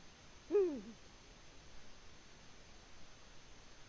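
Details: Eurasian eagle-owl at its nest in Latvia on 14 February 2020, giving a single short arched hoot with rich harmonics, fading quickly into a quiet, faintly hissing background.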